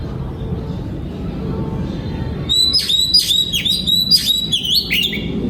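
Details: Oriental magpie-robin singing in a breeding aviary, 2022: after about two and a half seconds of low background hum, a run of loud whistled notes begins. They slide sharply down and then level off, repeated quickly.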